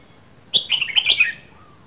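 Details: Caged Red-whiskered bulbul from Dak Lak giving one loud, clear, rapid phrase of sharp whistled notes that drops in pitch toward the end, followed by a faint soft call.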